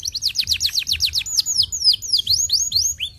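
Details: Canary singing to stimulate other canaries to sing: rapid series of high, sharply down-slurred whistled notes, about four per second, shifting into longer sweeping slurs, over faint low background rumble.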